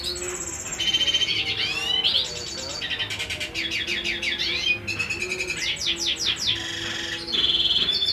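A male black-hooded siskin sings a long, fast twittering song of high chirps, sweeping slurs and buzzy trills, with only a faint low hum behind.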